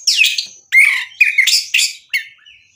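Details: White-rumped shama singing isian material: a short series of loud, harsh, squawky notes, about five in under three seconds, with brief clear whistles between them.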